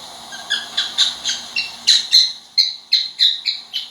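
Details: Pet cockatiel chirping steadily, a dozen sharp, high chirps repeated about every third of a second, some slightly scratchy, with faint background hum.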